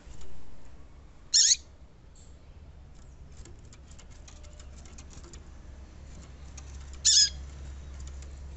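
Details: Female Yellow-bellied Seedeater calling, used to stimulate males to sing: two brief, high, thin call notes about six seconds apart over a steady low hum.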